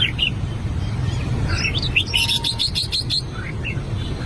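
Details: An albino red-whiskered bulbul practising its song gives a few spaced whistles, then a burst of warbled notes with rapid clicking, a brief steady tone, and trailing chirps over a low hum.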